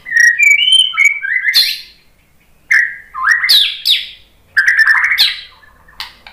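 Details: White-rumped shama as a lure: three bursts of loud fluted whistling, each mixing low sliding notes with steep high sweeps, separated by short silences.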